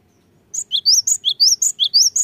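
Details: Cinereous tit song used to excite birds reluctant to sing: a quick, ringing sequence of high rising whistles alternating between two pitches, about nine notes in under two seconds, starting after a short silence.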